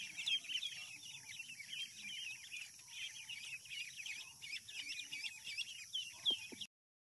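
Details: Ducklings on a farm: steady high, wavering peeps from several chicks, over a low hum, ending abruptly.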